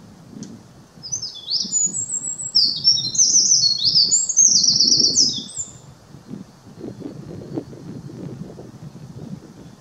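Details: A Eurasian wren, recorded 10 May 2019, delivers one loud, rapid, very high song of tumbling trills and chattering notes lasting about five seconds, over a steady low rumble.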